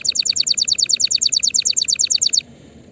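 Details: Canary song meant for training young birds early for the coming 2024 season: a fast, even rolling trill of bright repeated notes, about eight per second, that stops abruptly after two and a half seconds.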